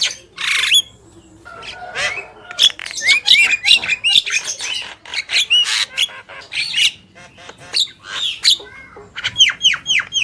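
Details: Male and female Javan mynas singing vigorously (gacor): a busy stream of harsh rasping bursts mixed with short whistled upslurs, with a run of rapid clear rising whistles near the end.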